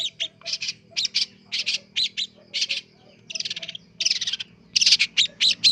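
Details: Young long-tailed shrike learning sounds: a bright, varied series of short high chirps and buzzy notes in quick clusters, some doubled, delivered steadily over a faint low hum.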